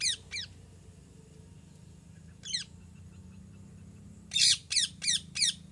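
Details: Calling parrot gives two rasping squawks at once, a lone screech midway, then four rapid, harsh, buzzy cries in close succession at the end, with steady low hum beneath.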